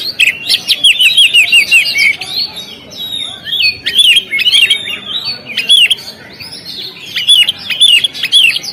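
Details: Oriental magpie-robin singing on a contest stand, loud repeated bursts of varied whistled and scratchy notes in quick clustered phrases, roughly every one to two seconds, over faint background murmur.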